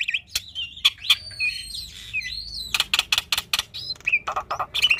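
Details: Black-winged starling in chatty, varied song for training young starlings: long wavering whistled phrases broken by sharp clicks, then a burst of rapid dry clicking notes and short lower whistles.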